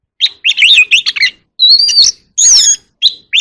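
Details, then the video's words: Oriental magpie-robin contest singing, or chòe than hót đấu: wavering warbled notes followed by a clear drawn-out whistle and a buzzy rising phrase. "chòe than hót đấu"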